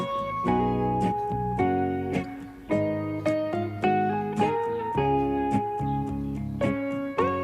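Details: Plucked guitar and piano notes play a gentle melody, with no animal sounds heard.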